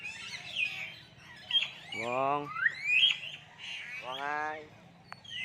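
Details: Common hill myna imitating human speech, giving nasal, voice-like harmonic phrases around two and four seconds mixed with sliding whistles over a low background hum.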